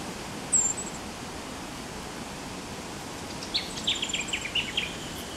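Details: A variegated fairywren in Lane Cove National Park, Sydney, Australia, on 16 November 2014 gives a thin, high whistle, then a fast run of sharp, high trilled chips, against steady background hiss.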